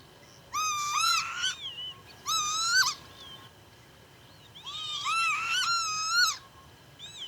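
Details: Northern lapwing recorded in Pyarkovichy, Belarus, in July 2025, giving wheezy, slurred 'pee-wit' calls that rise then drop, in quick runs of several notes separated by short pauses.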